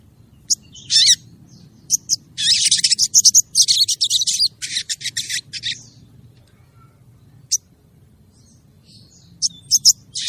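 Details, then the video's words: Female crested jay calling the male: loud, harsh, rasping squawk bursts, some drawn out and others clipped, given in a rapid uneven series, then sparse single notes after a short pause over a faint low background hum. "suara burung sogon betina manggil jantan"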